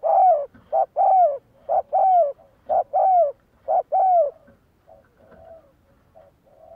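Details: Spotted dove kept as a decoy bird in decoy training, cooing: about six quick phrases in a row, each a short note and then a longer falling coo, roughly one per second, then softer scattered coos trailing off.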